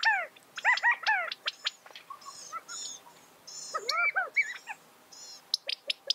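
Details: California quail giving a busy run of arched, down-curving harmonic notes, some in quick series, mixed with thin high chirps and short clicks from other birds nearby.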